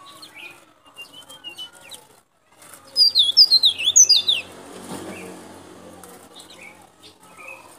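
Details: White-breasted white-eye from Baubau in Sulawesi's Buton, loud luring song: a short rush of high zigzagging chirps after scattered soft notes, then a low background hum.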